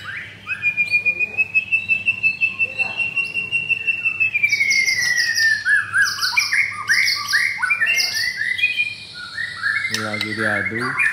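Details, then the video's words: White-rumped shama, adult brown blorok, kept caged in Jakarta, Indonesia, singing against a rival. A long sustained pure whistle gently falls, then breaks into rapid varied chirps, buzzy rattles and sweeping notes, ending in a harsh burst. "Murai Batu Pastol Blorok Extreme Double Ring Apbn Bnr Gacor"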